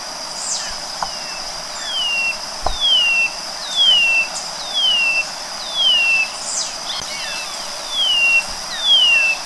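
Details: Song of the white-bellied seedeater: a string of clear, plaintive descending whistles, each slurring downward, repeated roughly once a second, with a constant high background hiss and occasional soft clicks.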